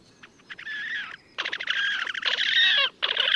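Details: Wild Slavonian grebe in Gavieze, Latvia, May 2024: a few clicks, then loud, fast, squealing trills in long bursts broken by short gaps, over faint background noise.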